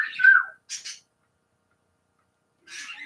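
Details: Indoors, a caged male pet bird, overweight and barely able to fly, whistles at its owner with a clear whistle that slides downward, followed by short raspy bursts; a woman's voice is heard nearby.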